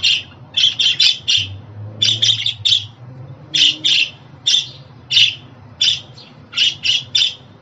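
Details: Lively budgie chatter of rough chirps in rapid clusters of two to four, then single calls, offered to help new or young pet budgerigars settle in at home.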